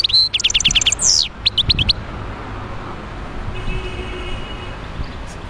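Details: Wild goldfinch in Médéa, Algeria, giving a short burst of quick metallic twitters and a slurred note in the first two seconds, then quiet with a faint distant whine and low rumble.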